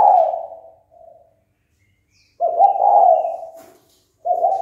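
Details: Spotted dove calling to stir up fighting: a loud coo fading out, a short soft note, then a long rolling hoarse coo phrase and the start of another, otherwise quiet.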